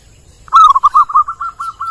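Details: Zebra dove, called perkutut or kedis titiran in Bali, sings a run of about nine soft, rapid cooing notes. They start strongest and fall slightly in pitch as the phrase fades. The background is quiet.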